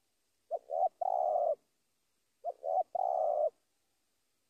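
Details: Spotted dove luring a rival with two matching phrases about two seconds apart, each a pair of short coos followed by a long, even, trilling croo.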